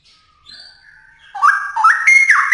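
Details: Faint thin calls open, then a straw-headed bulbul bursts into loud, rich whistled song, notes leaping upward in steps.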